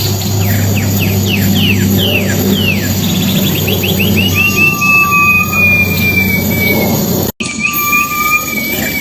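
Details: Wild Silver-eared mesia song for luring: spaced down-slurred notes quickening into a rapid trill, then long high and low whistles, with a brief dropout in the sound and low hum throughout.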